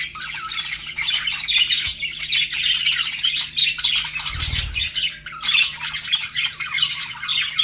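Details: Flirting budgerigars kept as pets give nonstop buzzy chatter and sharp chirps, with a short low thump partway through.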